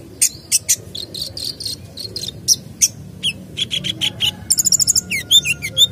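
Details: Sunbird delivering a full, varied song used to make other birds sing: a run of sharp high chips, then mid-pitched notes and a rapid trilled flourish ending in twisting whistles.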